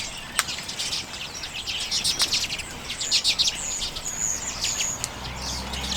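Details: Common redpolls taking sunflower seeds in late January 2022, Canon EOS M50 recording; clustered sharp chips and twittering notes, with a few thin high whistled calls toward the end.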